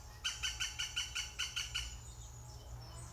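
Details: European green woodpecker at its nest on fledging day, 16 June 2020: a fast series of about nine harsh, even, laughing notes over roughly two seconds, then quiet with low background hum.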